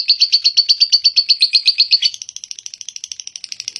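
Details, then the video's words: Lovebird's long ngekek trill, strong harsh chattering notes in fast succession that shift after two seconds into quicker, thinner, softer pulses. "burung love birt ngekek panjang"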